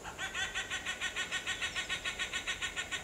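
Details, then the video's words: A Sri Lanka grey hornbill, endemic to Sri Lanka, gives a rapid, cackling series of harsh notes, about four or five each second, like hoarse laughter, over faint background noise. "Ceylon Grey Hornbill Bird Song and Calling Sound"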